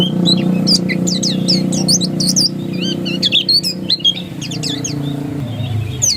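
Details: Dakun oriental white-eye in insistent ngotot song, quick high chirps and twisting whistled notes clustered at first, then looser scattered phrases, set against a constant low droning hum that shifts near the end.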